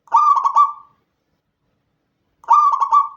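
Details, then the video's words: Night song of a local Indonesian zebra dove, clean unedited training recording: two identical phrases roughly two and a half seconds apart, each a burst of rapid broken coos settling into a held mid-pitched tone, otherwise silent. "Perkutut Lokal Gacor Pancingan Malam Hari agar cepat bunyi"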